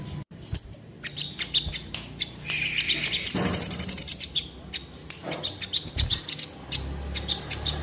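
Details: Crimson sunbird in breeding condition, said to make other birds quiver wings and display. Scattered high ticks build into an evenly pulsed bright trill of about a dozen notes, followed by more rapid chirping.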